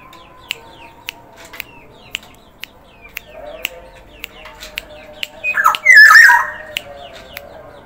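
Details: Actively singing Black-naped oriole of the Sumbawa type gives one loud, rasping, warbled outburst near the end, after soft rustling, with crisp clicks repeating roughly every half second and faint chirps behind.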